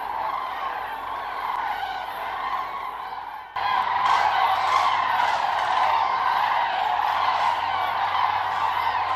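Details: Massed common cranes at their autumn gathering site on the Milicz Ponds, Poland, September 2023. A constant, overlapping trumpeting chorus swells suddenly louder partway through as nearer birds join the clamour.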